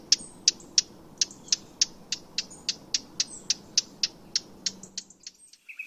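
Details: Eurasian blackcap, recorded free-living, giving hard, dry 'tac' clicks about three a second in a steady run, ending with a brief thin whistle.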